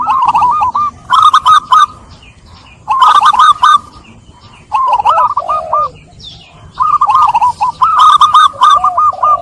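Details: Cooing zebra doves on a lure recording meant to get doves stressed by trapping singing again: repeated loud bouts of fast, stuttered, rolling notes, with lower slurred coos between, some overlapping.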